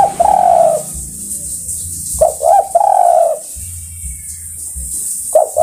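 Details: Spotted dove calling to other birds: a long soft coo, then a phrase of quick stuttering notes and another drawn-out coo, with the stutter starting again at the end; steady background hiss.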